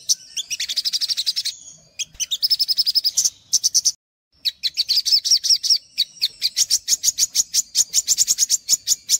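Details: Energetic olive-backed sunbird song for luring young birds: dense high twittering phrases broken by brief pauses, then a long run of evenly spaced sharp high ticks.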